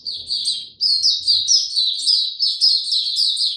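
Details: White-eye (Mata Puteh) kept as a caged songbird, singing without supplements: fast, high-pitched chattering phrases of slurred chirps running back to back, bright and loud, with a brief pause near the start.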